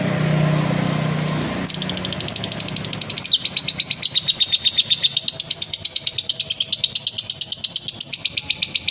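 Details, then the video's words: Male lovebird konslet ngekek meant as therapy for other lovebirds: after a couple of seconds of low noise, a shrill, stuttering chatter starts and settles into a long, rapid series of sharp repeated pulses. "SUARA BURUNG LOVEBIRD JANTAN KONSLET,TERAPI DOBELAN"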